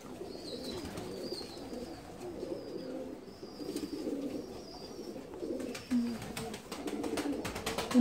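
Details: Captive Saltanat pigeon, a Turkish fancy breed from Bursa, gives soft, muffled low coos throughout, while thin high whistled notes repeat about once a second in the background, ending with a few clicks and knocks.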